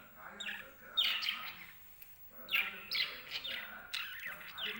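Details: Pet lovebirds chattering happily in the morning as the cage gets washed: repeated high, scratchy chirps in short runs roughly every second, over faint background noise.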